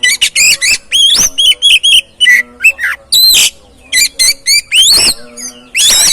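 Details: Dense oriental magpie-robin song used to stimulate another bird to sing: rapid loud whistled notes, wavering slurs and rising sweeps packed closely, with a few harsh bursts.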